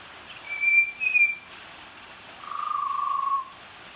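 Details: Butcherbird singing during rain: two bright, high whistled notes in quick succession, then after a pause a lower, wavering, trilled note held for about a second, with faint rain hiss underneath.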